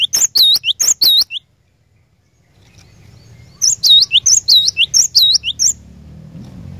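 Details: Cinereous tit (glatik batu) singing as a lure for a caged bird: a short burst of high paired notes, a two-second hush, then a longer run of about six rhythmic swooping phrases, with a low rumble creeping in.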